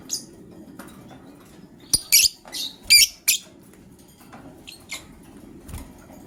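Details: Lovebird chirping in the morning, a gray and a yellow-green bird, one said to be ready to lay eggs; short sharp high chirps in uneven bursts, clustered around the middle, over a low steady background hum.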